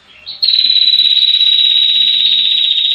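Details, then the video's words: Female red-headed prinia gives one long, high, rapid buzzing trill, held steady for over two seconds without a break; no other sounds stand out. "PRENJAK KEPALA MERAH BETINA NGETIR PANJANG"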